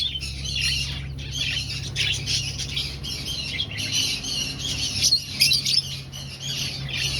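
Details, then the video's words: Aviary finches in a breeding colony, looking for a nest: a dense, continuous chorus of high, squeaky chirps and squawks from many birds, with a steady low hum underneath. "Finch Sounds"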